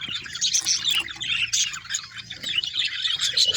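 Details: Continuous budgie chatter: jumbled high chirps and short whistled notes overlapping, rising and falling in loudness.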